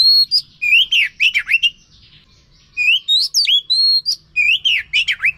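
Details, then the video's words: Oriental magpie-robin song meant to prompt a silent bird to sing, delivered in two bursts of varied whistles, steady held notes and rapid up-and-down slurs separated by a pause of about a second. "Pancingan Ampuh untuk Kacer yang Macet Bunyi"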